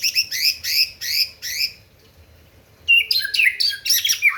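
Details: White-rumped shama, a kept songbird, singing to provoke rivals: rapid bursts of high scratchy, buzzy notes repeated about every half second, a pause, then a fast jumble of sharp chattering notes over a faint low hum.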